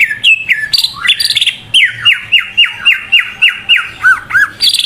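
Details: Lure song of a greater green leafbird, played to push another leafbird to sing more: loud squeaky flourishes, then a steady series of whistled down-slurred notes about three per second, ending in looping notes.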